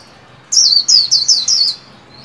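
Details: Caged white-eye in líu song training, new year 2021: five clear, high, ringing whistles, each sliding downward, delivered rapidly in just over a second.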